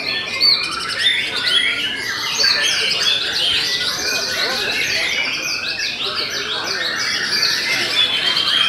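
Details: Murai batu Belanda (white-rumped shama) in stable, full-throated song. Busy high chatter and quick whistled slurs pour out continuously, with bright upward sweeps and brief sharp notes, over soft background murmur.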